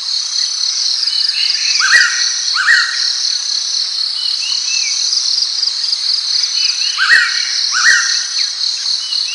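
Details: Blue-winged pitta giving paired rising whistles, one pair near the start and another about five seconds later, with faint scattered whistles between, beneath a constant loud shrill chorus of insects.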